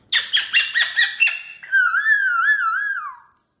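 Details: Cockatoo kept as a pet, performing on a TV stand indoors: six quick, harsh, evenly spaced notes, then a loud sustained whistle that wobbles up and down before fading.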